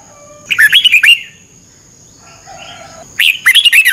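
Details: Red-whiskered bulbul kept in a cage in Thailand, trained each morning for thirty minutes: two rapid bursts of bright, tumbling whistled notes about two and a half seconds apart, with a faint squeak between.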